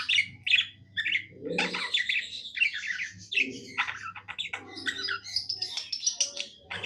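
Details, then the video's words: Pet budgerigar in happy song, a continuous rapid warble mixing squeaky chirps, buzzy notes and short whistles for nearly seven seconds, with lower gurgling notes now and then and a steady low hum behind. "Happy budgie singing"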